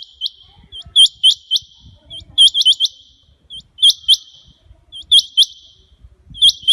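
Rain quail giving sharp, high, metallic double notes in quick bursts of two to four, repeated about once a second with brief pauses.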